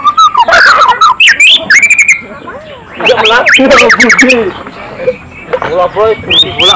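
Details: A first-place competition-winning white-rumped shama pours out a rich, fast song of varied whistles, rising slurs and sharp chips in quick bursts, with faint human voices behind.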